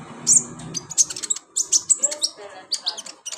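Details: Brown-throated sunbird with sharp, very high chirps in fast, uneven bursts, some with tiny downward twists. Recorded as therapy to trigger singing in kept birds. Background hum is faint.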